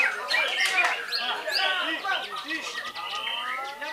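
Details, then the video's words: Rapid chips, sharp upslurred whistles and soft rounded low notes follow each other quickly in this white-rumped shama song from Belitung island, ending in a series of clear rising whistles. "MURAI BATU JABRIK MASIH MENYUGUKAN PERFORMA TERBAIK NYA"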